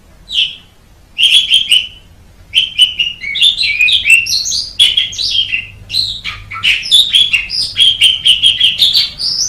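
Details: Masteran of an Asian pied starling with a highly praised chirping voice: after a few opening whistles comes a lively jumble of chirps, squeals and fluty notes, steady in volume and growing busier toward the end.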